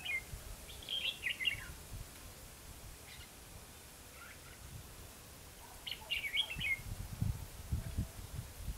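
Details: Red-whiskered bulbul during a trapping session at Hòa Mạc, Hà Nam. Two lively warbled phrases of quick, falling notes are separated by fainter single chirps. Low rumbling noise returns toward the end.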